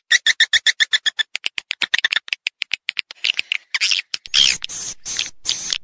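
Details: Edible-nest swiftlet mating lure for the rainy season: a regular run of crisp high clicking chirps, about four per second, slowing and spreading out, ending in harsher buzzy chatter.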